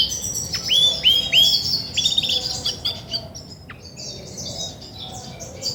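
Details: Female Belgian canary, grey and white, singing when ready to brood: a few loud upslurred whistled notes early, then softer, more distant-sounding chirps and short trills fading away over faint background noise.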